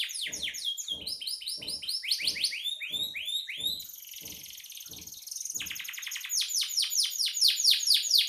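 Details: Canary song used as a tutor for songbirds: rapid sweeping trills and a high buzzy stretch, over a steady low knocking repeated about every two-thirds of a second for the first half.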